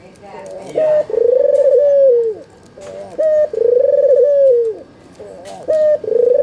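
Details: Albino red-eyed white Barbary dove, used as a lure to get lazy doves to sing and answer, giving low rolling coos: a short clipped note followed by a long purring coo that falls away, repeated about every two seconds.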